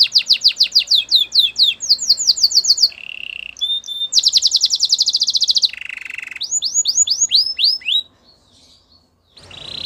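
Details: Canary singing: quick runs of repeated downward-slurred whistles, then a low buzzy roll, a bright rapid trill and a series of arching notes before a short pause and a final buzzy burst.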